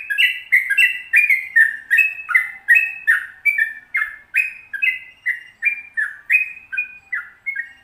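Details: Long rolling 'ropel panjang' song from an active sooty-headed bulbul, played to prompt captive birds to sing. Continuous stream of chirpy, slurred whistles, quick and even, roughly two to three notes a second throughout.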